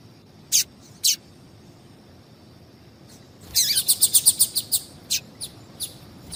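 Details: Female double-collared seedeater calling to excite males for singing contests: two sharp, high chips, a pause, then a rapid burst of about a dozen bright, high chirps that slows into spaced single notes, over a faint steady background hiss.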